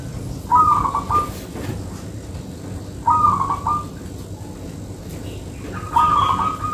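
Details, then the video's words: Local zebra dove singing: rolling, trilled coo phrases at an even mid pitch, three bursts about every two and a half to three seconds, each ending in a slightly longer held note, with faint low rumble underneath. "Perkutut Lokal Manggung Rapet"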